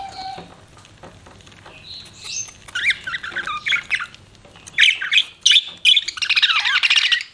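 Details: Budgies start with sparse soft calls, then break into scratchy warbled chatter and loud fast chirping bursts.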